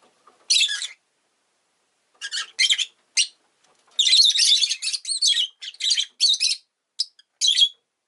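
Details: Rosy-faced lovebird chirping busily, with shrill, scratchy, high-pitched notes in short bursts that run into a dense, excited chatter midway, then more separate squeaky chirps.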